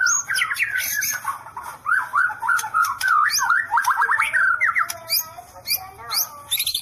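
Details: White-rumped shama, "sambaran listrik" (electric strike) song style: a long, unbroken chain of fast, zigzagging whistled notes at mid pitch, punctuated by high sharp whistles and clicking ticks.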